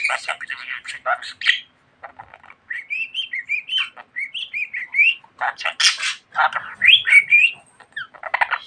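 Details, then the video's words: Talkative pet budgerigar chattering, mixing scratchy speech-like syllables with a run of wavy, rising and falling whistled notes and sharp bright chirps. "Muhabbet Kuşu Çimen Çok Konuşuyor.~Budgie Grass Talks a Lot"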